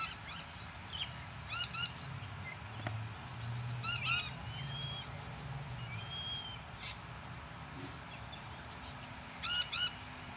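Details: A Buff-banded rail at Deception Bay, south-east Queensland, Australia, gives short bursts of harsh, nasal, rapidly repeated notes every few seconds, with a steady low rumble and faint thin whistles behind.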